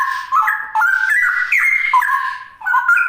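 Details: Straw-headed Bulbul (cucak rowo) singing in the 'ropel' style: a rich, fluid run of whistled warbling notes stepping and sliding between lower and higher pitches, almost unbroken, with one short dip before the phrase resumes.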